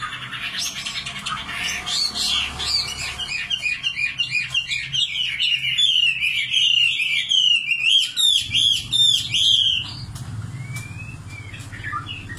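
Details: Nightingale delivering fast, rhythmic runs of repeated sharp notes that build into a rapid trill, then a short pause and a rising whistle; a low hum runs beneath.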